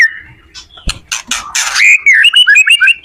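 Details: Song of a white-rumped shama used to tutor other shamas: a thin opening whistle and harsh rasping bursts, then clear wavering whistled notes repeated rapidly in a lively phrase.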